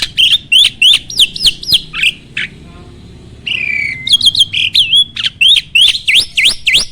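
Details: Starling song, used as a training recording to provoke singing in other birds, is made of looping whistled notes repeated about three per second. These are broken by a long grating rasp and a falling whistle.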